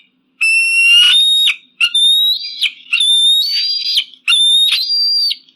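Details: Eagle calls, offered as a deterrent for pigeons and crows: four loud, clear whistled screams in quick succession, each about a second long with strong harmonics, some rising then dipping, set against complete silence.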